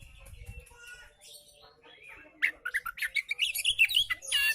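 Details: Relaxed song of an oriental magpie-robin, used as a tutor for reluctant singers: faint scratchy notes and low noise at first, then a lively run of sharp chirps, quick whistled slurs and buzzy trills growing louder toward the end.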